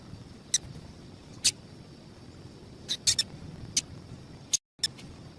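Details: A female double-collared seedeater's chip call, used to warm up males: roughly eight short, piercing high chips, some paired closely, scattered irregularly, with a brief total dropout near the end and low background hiss.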